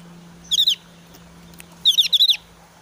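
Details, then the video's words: Breeding-season Javan grey-throated white-eye with high emotion, sounds fused into one challenging call: a short burst of high sharp notes, then a longer run of about six rapid notes, steady low hum behind. "opior jawa gacor emosi tinggi"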